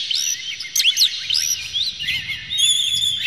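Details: Oriental magpie-robin, worked up with tail open, delivering a varied lure song to stir other magpie-robins; quick looping whistles and harsh chips crowd together, ending in a steady high thin trill.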